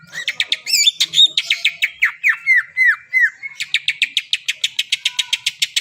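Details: Varied greater green leafbird song: mixed whistles, then a series of downward-slurred whistled notes, ending in a fast run of sharp repeated chips; used to stimulate birds not yet singing.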